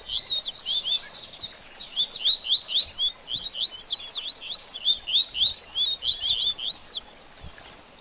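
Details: Baderninha song of a double-collared seedeater, meant to warm up a bird after moulting: a dense, fast sequence of high, slurred and down-swept whistles, delivered almost without a break for seven seconds before stopping.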